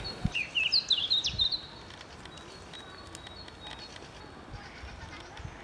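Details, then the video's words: A Danish Eurasian blackcap, small and grey with a dark cap, gives one short bright warbled phrase of quick chirps in under two seconds, followed by faint background hiss. "Munk - sådan synger danske fugle"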